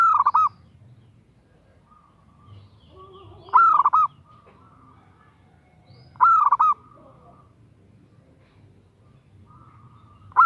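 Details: A female zebra dove calls a male with short, burbling coo phrases repeated roughly every two to three seconds. Each phrase is a fast string of rolling notes, and a faint steady hum runs underneath.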